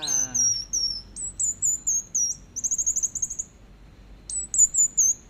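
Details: Orange-headed thrush in teler song, swaying side to side: very high, thin whistled notes and slurs, a fast trilled rattle in the middle, and a brief spoken voice at the start.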